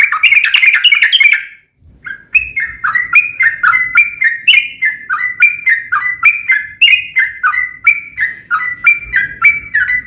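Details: Sooty-headed bulbul, a caged bird, singing to lure other bulbuls into song: a short dense chatter, then a long steady series of clear whistled two-part notes, roughly three to four per second.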